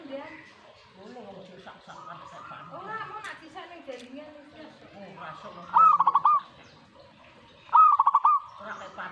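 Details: Reacting to a master recording, a zebra dove gives two crisp, pulsed cooing phrases about two seconds apart near the end, after a dense stretch of overlapping bird chatter and warbling.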